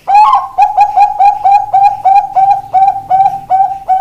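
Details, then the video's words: Zebra dove, a Bangkok-type perkutut wearing ring 495, singing: a rapid series of short, bright cooing notes, each sliding slightly upward, repeated about four times per second after a louder opening note; faint low hum underneath. "Perkutut Bangkok ring 495 jos"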